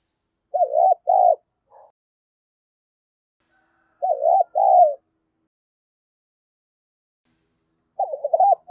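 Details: A spotted dove used as a lure to provoke fighting, 'giọng đồng pha' style; three spaced phrases of wavering double coos, each ending in a longer note, with long silent gaps.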